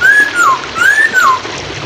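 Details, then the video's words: Two long, clear arched whistles from a Hwamei, each rising then dropping, in a songbird training recording. Flowing water murmurs in the background. "MASTERAN POKSAY HONGKONG / PANCINGAN SUARA MACET"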